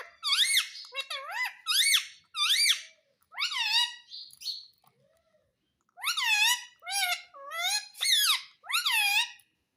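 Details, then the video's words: Talking parrot at home mimicking words like mummy and papa: a long series of about twelve loud, harmonic, voice-like syllables, mostly rising then dipping, in two bursts split by a short pause indoors. "Mummy papa Bolta Parrot || Pyaare mitthu ki roti do|| Talking Parrot"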